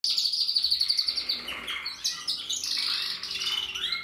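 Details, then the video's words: Portuguese harlequin canary singing a fast, continuous run of high trills and rolling chirps, shifting between buzzy tours and clear whistled notes without pause; recorded in 2024. "Kanarienvogel Portugiesischer Harlekin singt"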